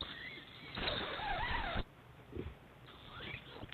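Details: Two owlets fed by their mother at 7am breakfast on 7 March 2010, competing over prey, snake or eel; a harsh hissing screech about one second long, then quieter rasping sounds and a short rising note.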